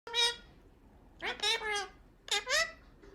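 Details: Two pet male Indian ringneck (rose-ringed) parakeet brothers kiss and chat, giving three quick bursts of rich, nasal, speech-like sounds with sliding pitch, separated by brief pauses in a quiet room.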